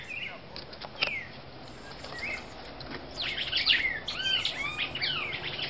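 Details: Brazilian female red-crested cardinal starting with scattered soft chirps, then breaking into a louder run of arched, slurred whistles that repeat quickly through the second half.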